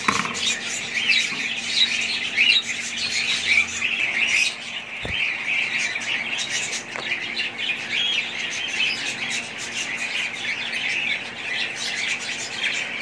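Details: A group of budgerigars gives a long, steady stream of high, scratchy chirps and warbles that overlap constantly. One short low thump sounds midway.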